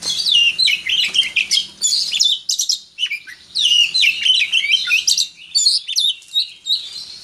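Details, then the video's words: Prize-winning oriental magpie-robin let out of its cage sings loud, varied phrases of sweet whistles, quick slurred notes and harsh chattering, delivered in bursts separated by brief pauses. "Burung Kacer juara di umbar"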